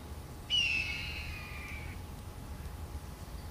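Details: Red-tailed hawk, one of a pair with young (four hawks in all), circling and calling above an owl nesting ground; a single drawn-out, slightly descending hoarse scream lasting about one and a half seconds over a low steady rumble.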